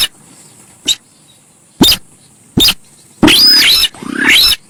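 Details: Four evenly spaced sharp clicks come first, then two long, rough, chattering screeches with rising squeals. The Javan pied starling sound is used as a lure, with a faint steady hiss underneath.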